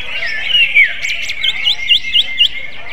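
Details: Magpie-robin-like song from a greater green leafbird: a slurred whistle, two buzzy high bursts, then a string of crisp V-shaped chirps roughly every quarter second.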